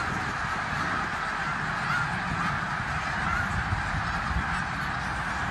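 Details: Thousands of snow geese on migration at Bath, Pennsylvania, 19 January 2021; steady roaring chorus of high honks and yelps from the whole flock, over soft low-pitched rumble.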